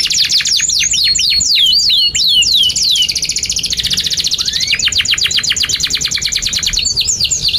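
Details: Long gacor canary song with cuit cuit nembak phrasing, played to train young or stalled canaries. A burst of crisp falling whistles, a dense high buzzy trill, a single rising slur, then brisk rapid descending notes.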